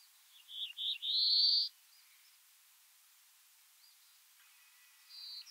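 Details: A male Black-throated Blue Warbler at Heaven Hill, Essex County, NY, Adirondacks, on 26 May 2023, sings a lazy 'zur, zur, zreee' of two buzzy notes and a higher rising buzz, with a faint note later.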